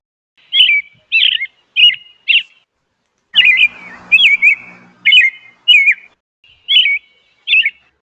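A robin sings short, clear warbled phrases, about ten in eight seconds, with a pause midway. A brief rustling noise with a low hum is heard partway through.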